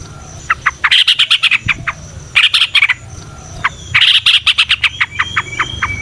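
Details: Lure recording of a Yellow-vented bulbul: dense bursts of rapid high notes, each trailing into separate spaced chirps, repeated three times, with a thin steady whistle behind.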